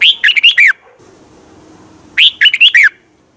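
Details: Red-whiskered bulbul song from Thailand, used for training or to excite other birds: two loud, quick phrases of about five whistled, warbling notes rising and falling, separated by about 1.5 seconds of quiet.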